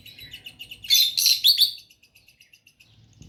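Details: Pair of pet lovebirds kept indoors, chirping gently: a loud cluster of shrill, overlapping squeaky chirps in the middle, then fading into quiet, evenly spaced soft ticking notes, with low rustling near the end.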